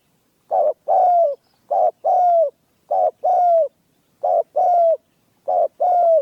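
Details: Spotted dove, a trained hunting decoy, gives a steady series of paired coos. Each has a brief first note and a drawn-out, gently falling second note, repeated five times in a still setting.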